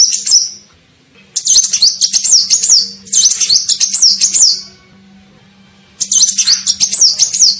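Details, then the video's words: Lure call of a sunbird, locally kolibri ninja, meant to attract birds: three long bursts of rapid, sharp, high chirps with zigzagging whistled notes, separated by pauses, over a steady faint low hum. "SUARA PIKAT KOLIBRI NINJA"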